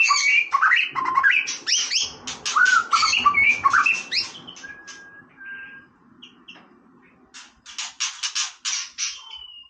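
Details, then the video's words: White-rumped shama in loud, varied song: tumbling whistles, sharp chattering notes and slurred rising phrases, then a pause with soft single whistles before a burst of rapid clicks and a long thin whistle. "นกกางเขนดงร้องเล่น Shama Bird"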